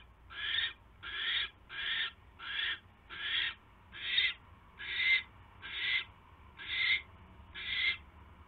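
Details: Evening mouse delivery at an owl nest, 29 January 2016; ten harsh, broadband hissing screeches follow one another at about one per 0.8 seconds, strong and clear above faint low noise.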